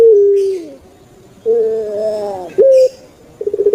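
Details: Puter pelung turtle dove from Java, Indonesia, kept in captivity: a falling coo, a pause, then a gravelly harmonic 'gerukk' phrase, a short clipped high note, and the start of fast rolling pulses.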